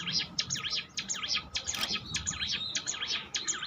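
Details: Training audio of a bar-winged prinia: quieter, rapid series of high, looping zigzag notes repeated in quick succession against a noisy, hissy background.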